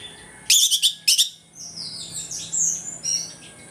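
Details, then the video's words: Orange-headed thrush singing in the morning in the ngeplong style, used as a lure to make other thrushes aggressive: two loud bursts of sharp high chirps, then softer rapid warbled phrases over quiet background hiss. "ANIS MERAH NGEPLONG PAGI, PANCINGAN ANIS MERAH AGAR CEPAT EMOSI"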